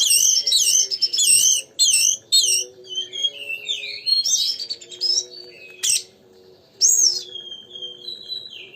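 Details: Lively kacer song meant to stir a magpie-robin to sing: rapid chattering phrases repeated several times, then sweeping and falling whistles, with a faint constant hum underneath.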